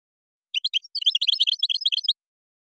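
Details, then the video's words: Goldfinch singing the Moroccan style with gazrat and srrr bertbertiou phrases: one continuous one-and-a-half-second stream of bright, tinkling twitters and chirps, nothing else audible. "تغريد مغربي ڨازرات + سررر برتبرتيو canto jilguero marocco"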